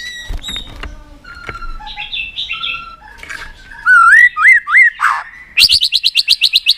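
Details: White-rumped shama singing in many voices, meant to excite a bird into tail-flicking and more song: scattered chirps and squawks, then loud wavering whistled phrases and a fast run of repeated sharp notes.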